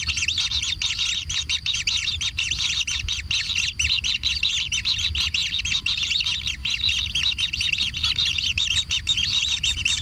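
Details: Kingfisher chicks being fed in their natural nest, calling frantically: overlapping, harsh, high chirps pour out in an unbroken chorus, dense and insistent throughout.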